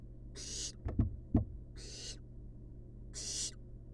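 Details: Sleepy wild barn owl chicks in a nest box make three breathy, harsh hisses, with a few sharp low knocks or thumps between the first two, over a low hum.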